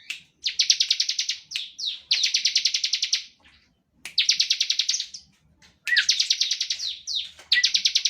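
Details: Rapid buzzy trills of a Bar-winged prinia in standard 'ngebren' style, meant to draw song from other prinias; short bursts of fast high chirps alternate with swooping notes and brief silences.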